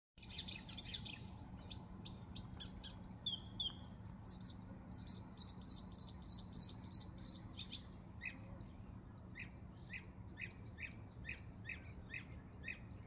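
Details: A marsh warbler (Acrocephalus palustris) sings at Gävle galvan, Inre fjärden, on 5 June 2023: a fast, varied run of sharp chirps, trills and buzzy notes, full of quick changes.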